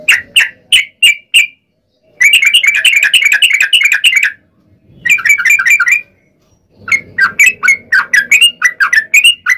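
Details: Trucukan, the yellow-vented bulbul, singing a chatty long 'ropel' sequence meant to draw other bulbuls into song; several bursts of rapid, gurgling chirps separated by short silences, some bursts fast and packed, others slower.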